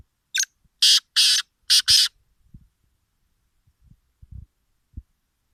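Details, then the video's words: Partridge (tetar) giving a harsh, raspy call of five loud noisy bursts within about two seconds, grouped two, then two, then one, followed by faint low knocks and thumps. "Tetar sound"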